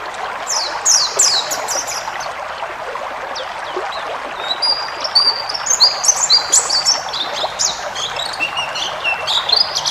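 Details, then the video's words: Pleci ngalas white-eye song used as a tutor recording for caged birds, full of varied phrases: thin high whistles and quick downslurred chirps, sparse at first and then denser after the fourth second, over a steady hiss. "masteran burung pleci ngalas full isian"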